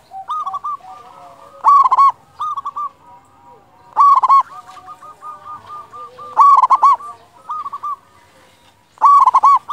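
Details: Zebra dove with a big voice, used to lure and excite other doves, repeats rapid stuttering coo bursts every couple of seconds while fainter doves coo in the background.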